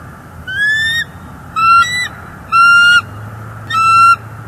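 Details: Bald eagles at a northeast Florida nest on a live nest camera, 18 January 2022. The male brings furry prey to the female, then incubates while she eats. Four drawn-out, clear, high, ringing notes with rich overtones, about one per second, over a low background rumble.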